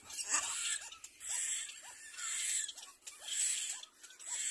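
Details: Little black cormorant at the nest, both adults arriving together with their young; short squeaky upslurred notes repeat roughly twice a second beneath rhythmic, breathy hissing bursts, over a constant thin high-pitched whine in the background.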